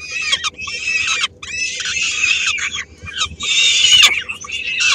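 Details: Three-week-old peregrine falcon chicks in Helmond, 13 May 2016, give harsh, rasping screeches in long, noisy bursts as the female brings a small prey item to share and some chicks snatch it.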